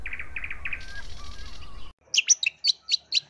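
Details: Long-tailed shrike of the East Java type, a lure recording meant to make other shrikes sing aggressively. Rapid chirps over background hiss, then after a pause six sharp, separated whistled notes in quick succession.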